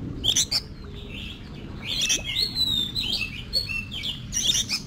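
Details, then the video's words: Oriental magpie-robin singing competition-style song for training: scattered sharp chips and sweet whistled notes, softer warbling between louder bursts, against background rumble. "Luyện Giọng Cho Chòe Than Hót Đấu"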